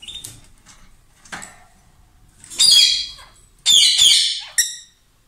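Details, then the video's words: Loud song from a pair of lovebirds: a few thin chirps, then two harsh, buzzy squawking bursts about a second long, the second broken into rapid chattering notes, ending with a short clipped squawk. "Gli inseparabili | 20minutes Love birds Sound"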